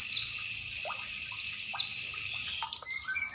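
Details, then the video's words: Female Oriental white-eye calling over trickling water, a recording meant to stimulate and revive sluggish kept birds. Sharp, high, downslurred notes come about every one and a half seconds, with lower soft chirps and steady splashing water throughout. "gemercik air+ cing betina"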